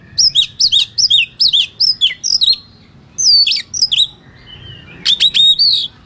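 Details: White-rumped shama fighting song used to provoke rival birds: a quick series of bright down-slurred whistles, a pause, more emphatic whistles, then a buzzy burst followed by clear falling notes.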